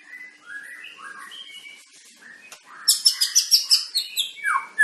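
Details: Long-tailed white-rumped shama of the Medan type, kept for pairing before breeding: soft varied whistled phrases rising and falling, then loud rapid high chattering notes and a sweeping downward whistle.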